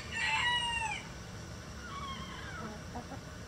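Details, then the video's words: A single harmonic, wavering call from a chicken of a mixed egg-laying flock in its coop, followed by faint softer calls against a steady noisy background. "Relaxing Chicken Coop Sounds"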